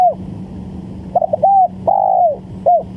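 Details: Lure call of a spotted dove for trapping: quick stuttering notes, a short coo, then a long drawn coo that drops at its end, followed by a brief coo; steady low hum beneath.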